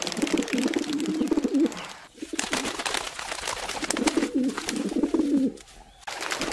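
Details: Wild pigeons cooing in nature: low, throaty rolling coos in two bursts, each lasting over a second, separated by a short pause, over a steady hiss of broadband background noise.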